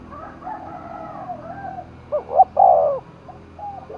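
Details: Spotted dove roused for a contest in Dong Nai, Vietnam, with faint low murmuring coos and then one loud phrase of short looping notes followed by a drawn-out, falling coo.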